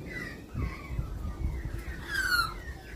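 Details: Australian magpie calling: a few short whistled notes, then a clear, stronger descending fluty whistle near the end over low background noise and thumps.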